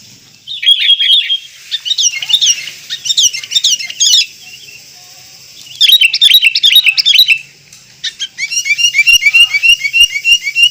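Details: Song of the sooty-headed bulbul, known in Indonesia as kutilang: lively phrases of bright chirps and whistled slurs separated by pauses, closing with rapid repeated twittering.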